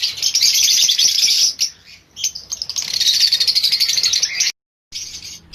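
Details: Lovebird breeding colony on a farm: a loud, fast-pulsing wash of shrill chirps from many birds, a short quieter gap, then more chattering before a sudden cut of silence.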